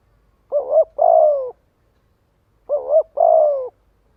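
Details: Spotted dove cooing to attract and gather other doves, two phrases roughly two and a half seconds apart, each a wavering short pair of notes then a sustained falling coo, in near silence.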